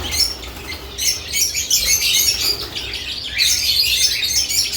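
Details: Lovebirds around added nest boxes keep up a continuous high twittering, with rapid overlapping chirps that swell in the middle and again near the end.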